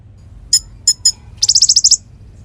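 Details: Konin song used to train magpie-robins: three sharp high chips, then a quick run of about nine bright staccato notes.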